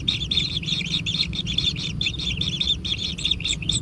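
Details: Kingfisher chicks in a natural nest clamour while being fed: rapid, strident, grating chirps come in close clusters, shrill and insistent throughout, over a quiet low rumble.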